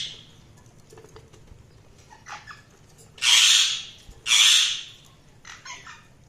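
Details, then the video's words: Budgerigars chirping: two loud, harsh, buzzy bursts near the middle, framed by softer scattered chirps and short warbling notes against a quiet background. "Budgies Soundsq Chirping sound"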